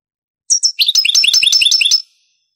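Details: Granada-pattern song of a European goldfinch from a Spanish tape of the late 1980s to early 1990s: a pair of high introductory chirps followed by a quick, rippling chain of bright twittering notes.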